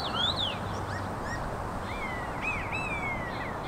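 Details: Common starling trio singing: loud wheezy arched whistles, then slurred rising and falling whistled notes, with steady low background noise.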